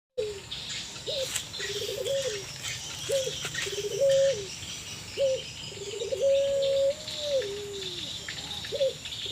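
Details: Puter pelung Barbary doves answering one another, said to sound sad or in breeding condition: a series of long level coos with short upward notes and falling ends, over a dense background of high chirping insects and birds.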